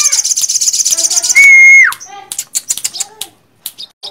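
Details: Olive-backed sunbird, locally sogok ontong, opens with a rapid high trill, then holds a pure steady whistle that drops abruptly, followed by scattered sharp chips and ticks.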